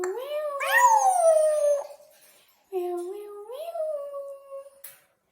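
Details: Pet Congo African grey parrot at play indoors; two long whistled phrases, the first loud and sweeping upward then holding, the second lower with an upward step, with faint clicks between.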